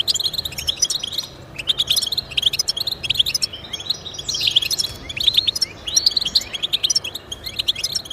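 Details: European goldfinch, song for motivating pet goldfinches. Bursts of quick twittering with buzzy slurs come in clusters separated by short gaps, the chirps sharp and high.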